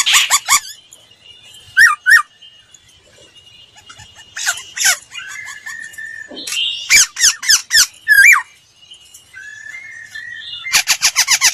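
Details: Laughingthrush lure song used for voice training, with scattered sharp clicks and short whistled notes, soft sliding whistles, bursts of quick chattering notes, and a rapid, buzzy trill at the close.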